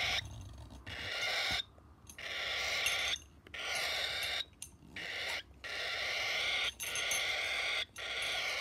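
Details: Motherless cockatiel chick being hand-fed in Iskenderun, giving harsh, raspy, hissing begging calls in long buzzing bursts separated by short pauses, repeated steadily throughout.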